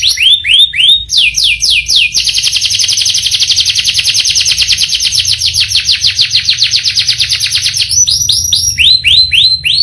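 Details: Canary song opening and closing with slow, swooping whistled notes, framing a long, very fast buzzy roll lasting about six seconds.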